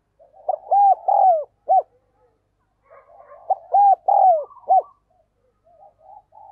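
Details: Spotted dove decoy performing the quick urging 'gáy thúc' call for wild doves, repeated loud three-note hollow cooing phrases with a short last note, faint cooing between and after.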